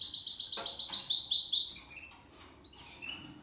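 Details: Male Spanish Timbrado canary aged seven months, discontinuo song: a bright fast metallic trill of repeated notes for almost two seconds, a pause, then a few soft whistled notes.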